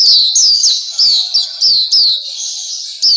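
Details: Black-capped white-eye song, a tutor recording meant to make captive birds sing more and with more variety: bright high chirps, each slurring downward, in quick bursts separated by short gaps.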